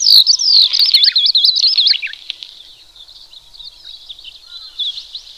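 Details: Horsfield's bush lark in vigorous song, used for training other birds: rapid high warbling trills and wavering whistles for two seconds, then a much fainter, thinner continuation.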